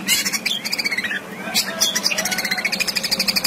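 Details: Long-tailed shrike singing a varied 'full isian' song meant to coax quiet birds into singing: quick scratchy chips and whistled slides, then a fast, even run of clicking notes, over a faint constant hum.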